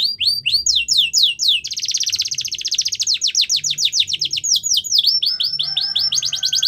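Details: Yorkshire canary singing for the training of young canaries: swept whistled notes, a long fast trill lasting about two seconds, more swept phrases, and a faint low steady tone near the end.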